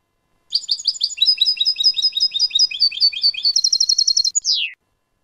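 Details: European goldfinch in clean-style song, recorded in 2019: a fast series of bright, twittering, tinkling notes, then a quick high trill ending in a long downward-slurred whistle. No background noise.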